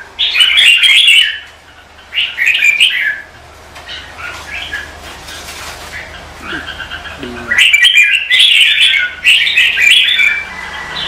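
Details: Red-whiskered bulbul singing in competitive style as morning practice: loud warbled bursts at the start and end, separated by a quieter stretch with faint notes, soft background rustling and a low hum.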